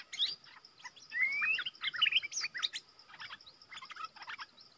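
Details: A decoy Stripe-throated Bulbul, used to lure wild bulbuls, gives lively bursts of bubbly, warbled whistles that rise and fall in short phrases, over a steady high insect-like hum.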